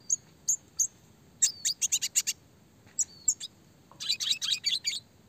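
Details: Red siskin classic song for training small songbirds, clear and fast: high whistled chips in small groups, a short rapid series, then a dense twittering burst near the end, against a quiet background.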